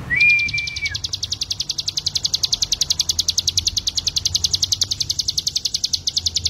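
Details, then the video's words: Ciblek gunung (hill prinia) song used as training master for cage birds: a brief lower whistled note at the start, then a continuous fast, metallic, high-pitched pulsed trill running unbroken for over six seconds over a low hum. "CIGUN ( CIBLEK GUNUNG ) MASTERAN BURUNG"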